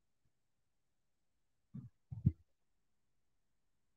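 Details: Near silence broken by two brief, low thumps, like handling knocks, with no animal voice.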